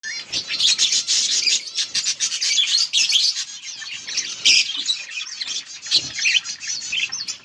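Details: Yellow budgerigars chirping, recorded August 18, 2024: dense, continuous warbling chatter of high squeaky notes and rasping buzzes, several birds overlapping without pause.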